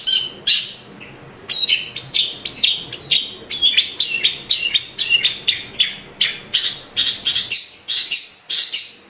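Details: Long-tailed shrike song played to spur a reluctant caged shrike into singing: loud harsh down-slurred notes repeated in quick runs, several per second, brief pause after the first notes, then a steady rapid chatter.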